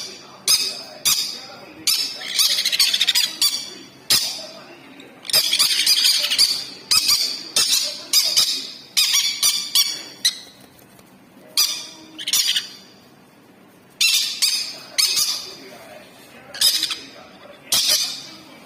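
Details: Sun conure chicks being hand-fed in Rourkela, Odisha, give harsh, buzzy squawks in rapid bursts while begging for food.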